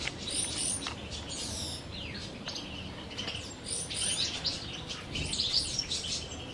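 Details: Captive common chaffinches in courtship and breeding condition, 2023, a pair sharing one male; bright high chirps and sweeping downward trilled notes overlap throughout, with several birds calling at once and faint wing flutters.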